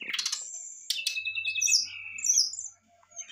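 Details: Brown-chested jungle flycatcher giving excited song to provoke a reply; a quick rising flourish leads into long, high sustained whistles with sharp chirps, fading at the end.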